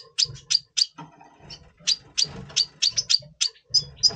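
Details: Red siskin of the double pastel mutation, in breeding mood before breeding, November 2023: rapid, repeated high chirps, about three or four per second, bright and clipped, with a faint low hum underneath.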